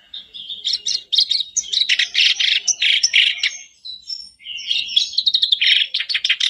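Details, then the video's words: Sooty-headed bulbul song used as a lure to get a caged bird singing: dense, rapid chattering phrases of buzzy notes and short whistles, high-pitched, in bursts with a brief pause near the middle. "Buat pancingan harian kerak basi macet pasti langsung on,bikin kerbasmu gacor"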